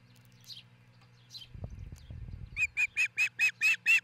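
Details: Osprey at a treetop nest in Charlo, Montana, recorded by nest cam near dawn on 22 June 2018: faint chirps and a brief low rustle, then seven loud, evenly spaced, sharp whistled notes in a rapid run.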